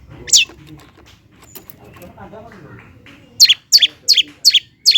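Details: Long-tailed shrike (cendet) sound used to provoke lazy birds into singing: one sharp descending note, a quiet stretch with faint murmur, then five quick falling notes in a row.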